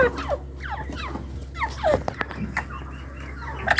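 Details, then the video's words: Hand-tame partridges (teetar) give harsh, quickly falling calls, several overlapping in an irregular string, over a steady low hum; partridge. "Teetar ki awaz"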